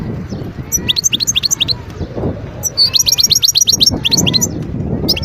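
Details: European goldfinch, a wild bird, recorded in 2022 at Guerbaz, Skikda province, Algeria: rapid strings of high, sharp chirps repeated in tight rhythmic runs, twittering liltingly, with soft low background noise underneath.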